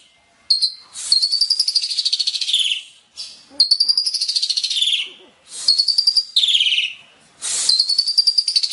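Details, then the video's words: Asian pied starling in full-filled song: a series of loud, scratchy, rapidly pulsed phrases, each one to two seconds long and descending toward its end, separated by short silences. "Kicau Burung JALAK SUREN isian KOMPLIT"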